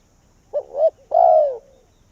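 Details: Single phrase from a caged spotted dove used as a decoy for wild doves in Vietnam: two short rising notes, a brief pause, then one long loud coo sliding downward.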